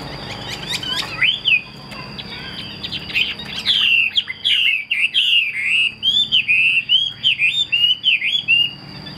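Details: Chinese hwamei, a caged songbird with wings held tight to the body and tail fanned out as it sings; a rich, varied run of loud whistled phrases, rising and falling quickly, with a faint steady high whine underneath.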